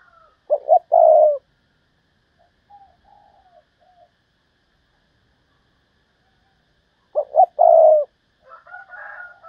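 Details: Decoy spotted dove calling thúc bổi style to attract wild doves: two loud coo phrases about six seconds apart, short double note plus long coo, with faint softer coos in the gap and a thin higher call at the end.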